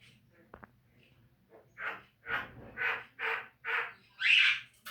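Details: Javan myna training recording meant to make caged birds sing more often: a series of five harsh, buzzy, croaking notes, each about half a second long, rising in loudness and ending in a stronger grating note.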